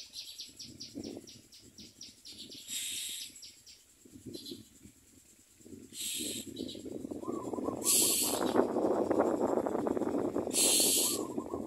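Common myna chicks beg with rapid, ticking high chips and loud harsh rasping bursts every few seconds, over a constant rustling background.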